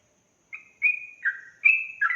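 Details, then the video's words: Sooty-headed bulbul in ropel-style singing used to provoke other bulbuls. Four or five drawn-out whistled notes, some sliding downward, come after a brief silence. "Suara Trucukan Ropel Gacor emosi"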